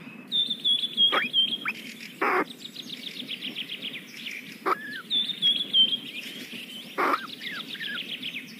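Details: Very young kingfisher chicks in their nest during feeding: bursts of rapid, fine high twittering in quick series, separated by loud percussive knocks and a few short downward squeaks.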